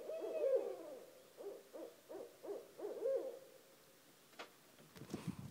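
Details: Barred owl calling at 1:30 am right outside a house, two owls present: a run of rhythmic, rolling hoots around five per second, ending in a drawn-out descending note, then a faint click and rustle.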